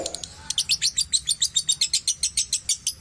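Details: Lovebird recording used as therapy to make caged lovebirds sing freely and chatter (ngekek): a fast run of sharp, high chirps, about seventeen evenly spaced notes in under three seconds, over a faint low hum.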